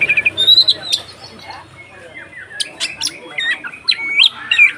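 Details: Kacer (magpie-robin) singing in the 'konslet ngeplong' style, used as bait to provoke other kacer into singing more aggressively; loud varied whistles and harsh squawky notes, a quieter gap, then rapid high trilled phrases.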